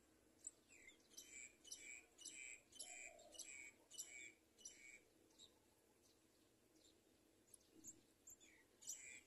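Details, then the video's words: Two house sparrow chicks being fed by their parents: a rhythmic run of bright, doubled chirps, roughly three per second for several seconds, then scattered fainter notes over a soft background hiss. "HOUSE-SPARROW BIRDS FEED THE TWO LITTLE BIRDS"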